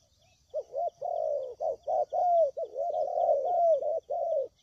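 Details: Spotted dove lure call for trapping. A rhythmic run of soft, throaty coos mixes short clipped notes with longer sustained ones, near-continuous for about four seconds.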